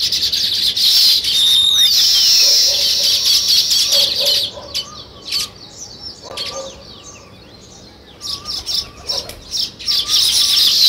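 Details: Chirping sparrows at a spot where weaver birds build nests, a loud high chattering chorus of many overlapping calls that fades midway and then returns in sharp bursts near the end.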